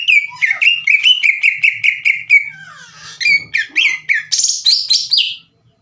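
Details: Green leafbird song intended to make rival birds sing back: steady rapid series of downslurred whistles, then varied higher, faster notes before it stops abruptly.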